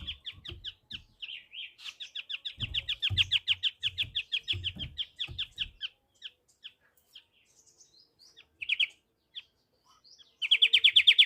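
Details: White-rumped triller delivering long strings of quick repeated chirps that merge into a rolling trill, fade to sparse notes, then end in a loud, fast trill; faint low thuds early on.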